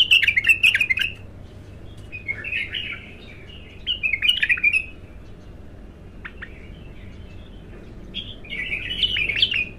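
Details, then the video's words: Untrained bulbul singing for the first time: short warbled, slurred phrases with quick up-and-down notes, given in bursts at about two-second intervals with brief pauses, plus faint sharp clicks, over a low steady background hum. "تغريد الابتر خام اول فتحـه له"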